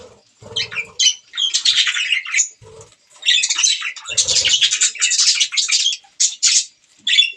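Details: Several budgies chirping as they eat green food, with dense scratchy warbling bursts and sharp squeaks broken by short pauses, plus soft low pecking knocks.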